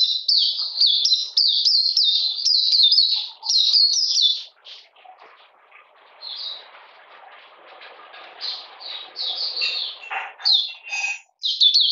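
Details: Oriental magpie-robin, 13 June 2020, cold rainy weather: a fast run of falling whistles for several seconds, then a quieter stretch of scattered soft notes and rustling before the whistling resumes.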